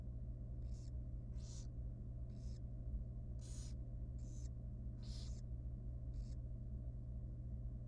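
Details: Tiny young wild barn owl chick in a nest box at feeding time, giving seven rasping hiss-like bursts at uneven intervals over a constant low hum.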